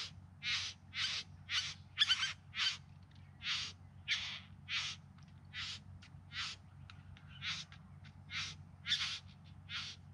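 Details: Bowerbird at a courtship display, filmed in September 2020 in the Yarra Valley near Melbourne: harsh, rasping bursts repeated about twice a second, some short and some drawn out, over a steady low rumble.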